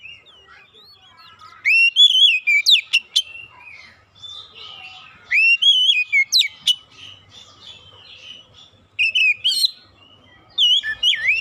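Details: Oriental magpie-robin lure song for getting reluctant birds singing: four bursts of loud, rich whistled phrases with sliding notes and sharp upstrokes, separated by quieter stretches of faint warbling.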